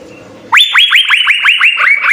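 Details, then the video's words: Cucak biru (Asian fairy-bluebird) singing a full-repertoire song used as a tutor recording for training cage birds: a fast run of loud, upward-sweeping whistled notes, about five per second, after a brief quiet start. "Hargacor suara 6 CUCAK BIRU GACOR full isian SI BURUNG SURGA, cocok sekali untuk masteran"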